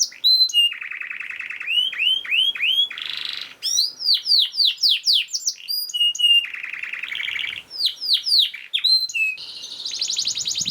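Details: Singing canary, recorded as a master for tutoring lazy canaries: low buzzing rolls alternate with rapid falling whistles and clear upslurs, several tours each lasting one to two seconds, ending in a high rattling trill.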